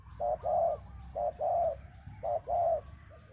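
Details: Spotted dove luring a bird down, giving three clear soft coo phrases, each a brief note followed by a drawn-out, slightly rolling coo, spaced about one second apart over low background noise.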